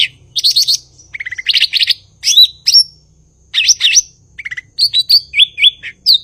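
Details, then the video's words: Blue-winged leafbird (cucak ijo) singing vigorously: bursts of rapid buzzy trills alternate with sharp downslurred whistles and chattering notes, ending on a clear sliding whistle, with short quiet gaps between phrases. "Burung gachor Cucak ijo/Ranting"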